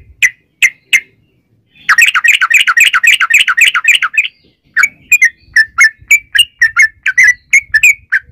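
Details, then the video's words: Sooty-headed bulbul in lively 'gacor' song with a long 'ropel' trill, used as a lure to make other bulbuls sing: three clear chirps, then a fast rattling trill of about two seconds, then a run of bubbly whistled notes. "trucukan gacor ROPEL PANJANG buat pancingan trucukan agar bunyi"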